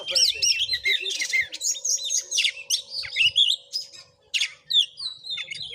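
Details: Oriental magpie-robin singing during a fight, Padang Gading village, Bengkulu, Indonesia; fast bright whistled notes and noisy rasping bursts, steady flow with one short pause near the end.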